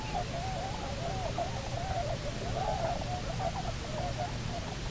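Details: Bermuda petrel pair returned to Nonsuch Island, Bermuda, 29 October 2018, captured by a nest camera: continuous quavering, slightly rising and falling mid-pitched calling throughout, set against a constant low-frequency hum.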